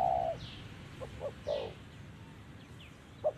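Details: Spotted dove cooing in the 'giọng thổ' style during trapping with a decoy: one long low hollow coo at the start, then brief soft coo fragments. Thin descending high chirps from other birds sound faintly behind.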